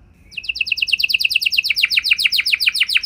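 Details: Canary bait song to make others answer. After a faint start, a high trill of clipped descending notes begins and speeds along, growing louder and steady to the end.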